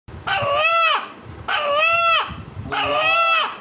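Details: A local-breed rooster in Khanbari, Bandar upazila, Narayanganj, Bangladesh, said to sound like "Allah Allah", gives three loud, harmonic crows, each about a second long, spaced roughly every one and a quarter seconds.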